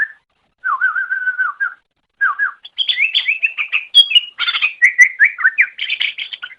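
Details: Master recording of a greater green leafbird for training other songbirds: a lower wavering warble opens, then after a pause a rapid, varied chatter of whistles and sharp chips runs almost without a break.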